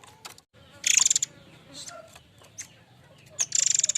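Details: Murai air mancur in lively, persistent song: two bursts of fast, buzzy, rattling high notes about half a second each, separated by scattered sharp chirps and ticks, over a faint low hum.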